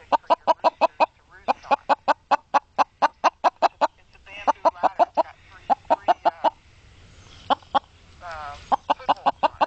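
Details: Chicken answering a woman speaking to it, giving a steady run of short, rapid clucks, roughly three per second, with brief pauses where her voice is heard between them.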